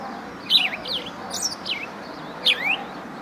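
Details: House sparrow uttering quick bursts of high chirps that zigzag downward in pitch, one after another, then pausing before a final pair. Quiet background hiss throughout.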